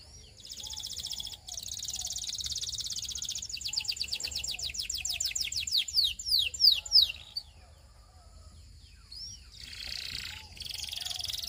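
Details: A Russian canary sings softly: a sustained high buzzy trill runs into a rolling tour of rapid falling notes, then stops. A short squeaky phrase follows, with faint background noise throughout.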